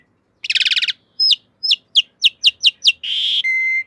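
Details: Asian pied starling master song used for training cage birds: a rapid buzzy rattle, then a series of sharp downslurred whistles about every quarter second, ending in a harsh rasp and a long steady whistle. Clean recording, no background.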